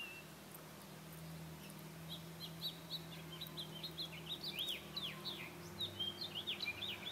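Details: House Finch singing at a patio: a rambling, jumbled warble of quick chirps and slurred notes, growing busier toward the end, over a steady low hum.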